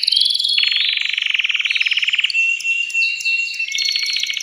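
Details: Agitated male canary in a cage, singing to rouse a female for mating: a rapid pulsed roll that drops to a lower buzzing trill, then a thin steady whistle and a higher rattling phrase.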